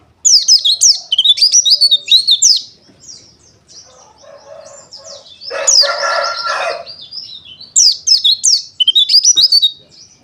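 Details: Pleci dakun wilis white-eye song of rapid high chirp series in rhythmic bursts, with a harsh rooster-like crow in the middle and soft background murmur.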